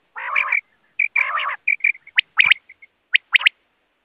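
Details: Quail calling: two harsh, raspy bursts open, followed by short clipped notes and then sharp, rising whistled sweeps in quick pairs, all loud and close against a silent background.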